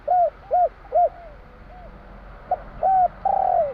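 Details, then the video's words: Javan spotted dove giving the three-note 'kuk 3' song style: a series of soft, low, arched coos, each under half a second, with longer drawn-out coos near the end. The setting is quiet. "Suara tekukur kur 3 besar / burung tekukur suara/Terkukur Kuk 3/ bunyi burung tekukur jawa kuk 3"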